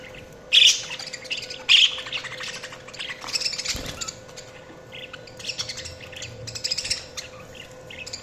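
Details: Budgerigars chirping: two loud sharp chirps early on, then soft, continuous warbling chatter and scratchy twitters, with a faint steady hum underneath.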